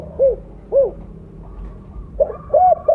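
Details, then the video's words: Spotted dove, mottled colour form, loud and vocally active, used as a lure call. Two separate arched hoots, a pause, then a quick cluster of three mellow coos. "Terukur blorok gacor suara besar cocok untuk pancingan bunyi."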